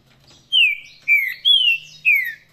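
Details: Saffron-billed saltator singing in the Paraná song style: four loud, clear whistled notes, each sliding downward, delivered at roughly half-second intervals against a quiet background.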